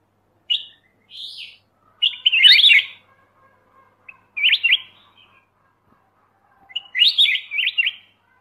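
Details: Black-crested bulbul, Pycnonotus melanicterus, giving short bursts of bright chirpy, slurred notes separated by pauses of one to two seconds, with a few single clipped notes between phrases; otherwise quiet.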